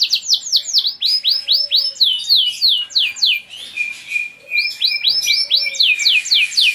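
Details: Caged Giboso Español canaries singing a string of bright, looping descending whistles at a lively pace, broken by a short soft rasp, then more swooping notes.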